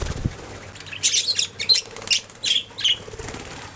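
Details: Budgerigars making sounds: a brief flutter of wings opens, followed by a string of sharp, squeaky high chirps and short warbled notes spaced unevenly, roughly two or three per second.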